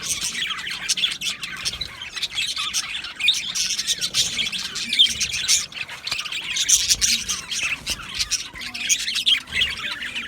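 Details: Australian budgerigars in an aviary colony, recorded 12 July 2025: a dense, continuous chatter of high chirps, squawks and warbling notes from many birds overlapping throughout, with no pauses.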